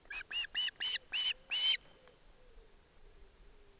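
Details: Osprey chick, mother alongside, being handed a fish by its father in Barlinecka Forest: six shrill whistled chirps in a row, each longer and louder than the last, then silence apart from low background hum.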